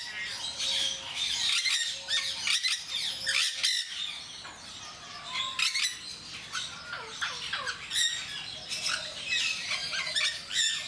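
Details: Captive Jenday parakeets at Mysore Zoo, known for a very loud, shrill call, give repeated harsh, grating squawks throughout, several overlapping, amid continuous chirping from other birds nearby.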